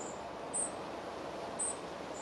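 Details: In the Moscow region, a spotted flycatcher tends its young at the nest. Two brief, piercing, high-pitched tsee notes about a second apart stand out from quiet, even background noise.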